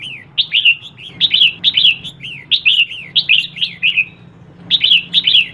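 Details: Female red-whiskered bulbul, calling to stir up males, pours out a near-continuous run of short, bright, down-slurred whistles before a brief pause and two final notes, against a faint hum.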